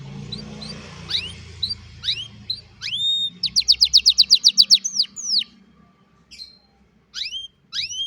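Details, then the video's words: Old canary singing in the afternoon: spaced upward whistles, a burst of about ten rapid loud notes, then sparse sweeping chirps after short pauses, with a low hum behind. "Old Canary sings beautifully in the afternoon"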